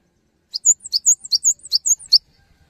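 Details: Cinereous tit singing vigorously, used to stir other tits to join in; a bright, high two-note phrase, a sharp downslurred note then a clear whistle, repeated about six times in quick succession.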